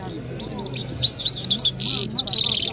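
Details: Iranian Mashhadi jal bird singing in Kabul, Afghanistan, in excited mood, a continuous high twittering warble of quick wavering notes, broken by a short burst of buzzy trilling, over low murmuring background sound.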